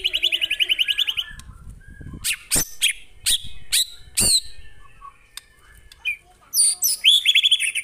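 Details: White-rumped shama from real birds in a master recording: a fast repeated whistle trill, then several loud sharp clicks spaced about half a second apart, and a closing burst of high whistled trills.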